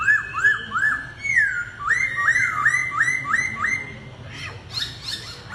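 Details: Laughingthrush in a singing duel, delivering a rapid series of loud, clear whistled notes that swoop up and then down, about seven in quick succession, followed by fainter high chirps.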